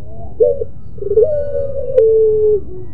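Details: Barbary dove, pelung variety, singing a sweet moaning coo: quick wavering introductory note, short pause, then a long sustained tone dropping in steps before trailing off, over faint low-frequency background noise.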